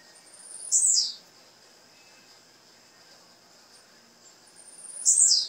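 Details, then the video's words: Two thin, very high, falling notes from a female blue-black grassquit, about four seconds apart, over a steady insect hiss; the call is played to encourage a male grassquit to sing. "O Piado dessa fêmea vai enlouquecer seu tiziu"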